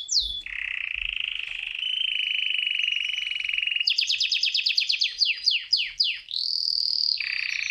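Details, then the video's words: Canary singing to win a female: a falling note into a long steady whistled tone, then a string of quick descending sweeps, a high sustained whistle and a lower buzzy trill. "É assim que o canário canta quando quer galar a fêmea!!!"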